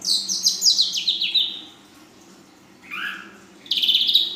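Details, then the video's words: Juvenile female ashy drongo delivering a full isian song with nembak panjang and belalang emas elements: a rapid run of high, stepwise-descending whistled notes, a pause, a lower slurred double note, then a loud dense buzzy chatter. "Srigunting Abu Paud Betina Full Isian"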